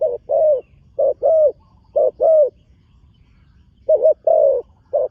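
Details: Spotted dove, a young bird's first time on the competition ground, cooing in short-long pairs three times in a row, a gap, then two more pairs, mellow and low.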